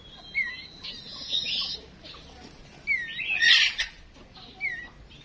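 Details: Decoy female songbird calling to stir males into singing: scattered whistled chirps and downward slurs, with a brief, loud, buzzy burst in the middle and quiet gaps between notes.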